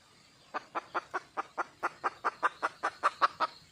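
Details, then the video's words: Female red junglefowl in the wild calling to attract a male, giving a soft, steady series of short clucks, fourteen notes repeated roughly every fifth of a second, rather faint over a quiet background. "le bruit d'une poule sauvage,เสียงไก่ป่าร้องหาถู่หาตัวผู้,ສຽງໄກ່ປ່າຮ້ອງຫາຄູ່ຮັກ, poj qaib qus see"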